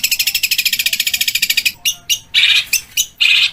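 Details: Long-tailed shrike in a training recording of rough, clear burst song with mixed phrases. A fast run of scratchy pulses is followed by separate short harsh bursts and two louder squealing notes.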